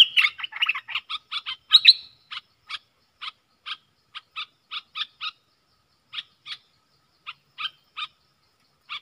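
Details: Caged bulbul in a singing duel with wild birds, recorded 3 October 2021: about two seconds of dense, varied chattering notes, then short clipped two-part notes repeated roughly every half second with brief pauses, no other clear sounds.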